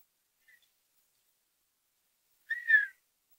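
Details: Quiet whistling display call of a male Redhead on the water, trying to get a female Redhead's attention: a tiny faint blip, then after a pause one clear half-second whistle that wavers and falls away.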